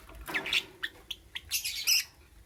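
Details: Morning lovebird chirping: a quick run of bright, piercing high chirps and squeaks, several in succession, ending in a dense burst of shrill notes before falling quiet.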